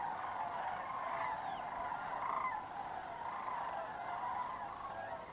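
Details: A low-flying flock of sandhill cranes on autumn migration southward through the Georgia–Tennessee route. Overlapping rattling, bugling calls rise and fall in a continuous chorus, with occasional clearer single calls standing out.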